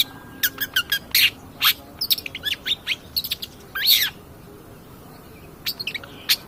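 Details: Long-tailed shrike singing as a lively cendet pastol on a lure track to provoke other birds. Clusters of sharp ticks and short chirps, one longer scratchy phrase, then a pause and a few more notes.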